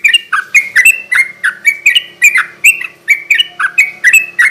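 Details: Sooty-headed bulbul song in garuda ropel style, a lure recording for raw birds at night: a steady stream of short, fluty, warbling notes about four per second, alternating higher and lower pitches.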